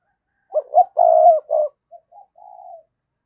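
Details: Decoy spotted dove call for luring wild doves: a loud, rough, stuttering run of coos, then quieter short hoots and a soft drawn final coo.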